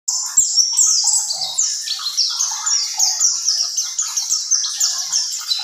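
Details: Mountain white-eye, pleci buxtoni, singing in ngerol style: a fast, continuous, high twittering song of rapid descending chirps and trills, delivered without pause throughout.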